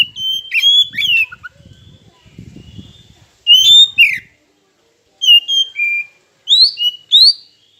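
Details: Oriental magpie-robin song meant to provoke rivals to sing: short bursts of whistles and slurred notes, with a low rumbling noise beneath the first half, then cleaner rising and falling whistled phrases.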